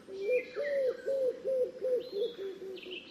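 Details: Rolling series of short, low arched pigeon coos, repeated roughly three times per second, with faint higher chirping above.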